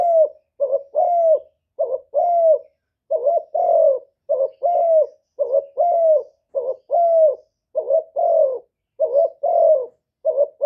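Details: Spotted dove decoy bird cooing in the 'one-ending' style that provokes wild doves; a long continuous run of two-note phrases, a short lifted note followed by a longer descending coo, roughly once per second.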